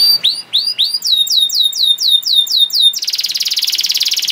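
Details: Canary song for tutoring young canaries, with several swept whistles, a run of evenly repeated falling notes, then a loud dense rattling trill in the final second.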